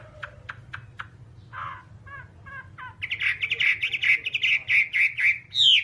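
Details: Whambie vocalising: faint clicks and short notes at first, then a loud dense run of buzzy chirps and whistles ending in a high rising phrase.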